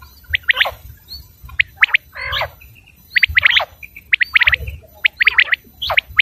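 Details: Common quail heard on a hunting-lure recording: clusters of sharp high chirps, short whistles and one buzzy burst, against rumbling low background noise throughout.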